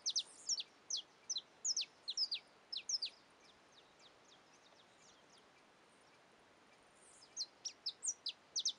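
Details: Young male Saffron finch in Caiapônia, Goiás, Brazil, giving rapid bursts of short, sharp, high chips, several per second, then a pause of about four seconds before another quick run of chips; faint background hiss.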